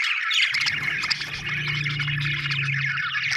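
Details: Budgies chatter in steady twittering warbles while a low droning hum rises midway and fades near the end.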